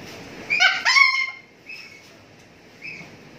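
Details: A pet cockatoo showing off and dancing while people are around gives a loud, nasal, slightly grating two-part squawk, then two brief high squeaks a second apart, with faint room noise behind.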